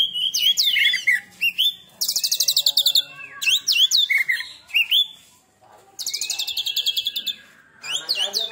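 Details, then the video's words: Oriental magpie-robin (kacer) singing in the "tembakan" style, a bird that has moulted once: loud, fast bursts of buzzy trills alternating with sharp rising and falling whistled notes, broken by short pauses, with no other clear sounds. "Tembakan Kacer Super Pedas"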